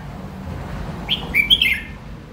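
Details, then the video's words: Red-whiskered bulbul giving one brief, bright warbled phrase of quick slurred whistles, stepping down in pitch, over steady low background noise. "Giọng hót chào mào"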